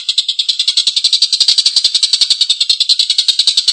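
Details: Long, rough laughing chatter from an energetic Collared kingfisher, with gritty notes following one another at about three and a half per second across the whole stretch.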